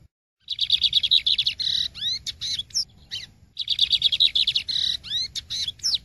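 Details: Two full phrases of the Maranhão song type from a lined seedeater, each a rapid pulsing chirp series followed by buzzy trills and swooping whistled slurs, separated by a brief pause.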